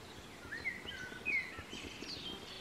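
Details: A fast-running White wagtail (Motacilla alba) gives two sharp, high chirping call notes about a second apart, slurring downward, over a soft background hiss.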